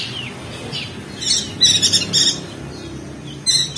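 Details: Opior jambul, the crested white-eye, from Lombok, NTB, in ngeriwik style for training songbirds: soft thin whistles lead into a quick string of rough scratchy bursts, then a pause and one final burst.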